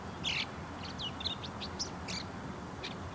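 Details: In courtship, a bull-headed shrike offers a few spaced song notes: a harsh scratchy burst, then thin whistled slurs and chips in an uneven sequence, with quiet ambient hiss behind.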